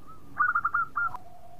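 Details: Brief phrase from a sweet-voiced local zebra dove, said to spur other birds to sing: a soft lead-in coo, then four quick clipped coos and a final drawn note.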